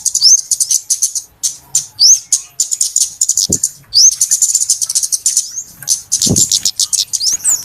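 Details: Lure recording of noisy flowerpeckers for bird trapping: continuous high, clicking tick notes in rapid bursts, with several quick rising whistles and two short low thumps.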